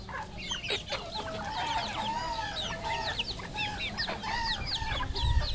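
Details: A flock of red junglefowl on a farm in Cambodia calls over one another: many short, rising and falling nasal clucks and squawks, with a steady low rumble behind.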